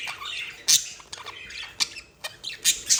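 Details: Two budgerigars, a pair in love, trading short sharp squawks and clicks, with bright bursts punctuating a softer warbling chatter about twice a second.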